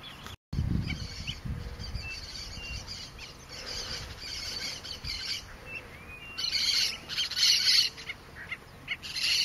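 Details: Nacunda nighthawk, subspecies Chordeiles nacunda nacunda, recorded at Porto Jofre in the Pantanal, Brazil, on 26 September 2013; bursts of high, rapid chirping notes repeated in clusters, with a brief dropout near the start and low background rumble.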